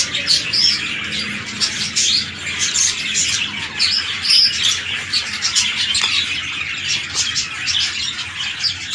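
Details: Captive red-eye lutino budgies during breeding, a big male with a small female; constant high chirruping chatter with scattered clear whistled notes and brief harsh squawks.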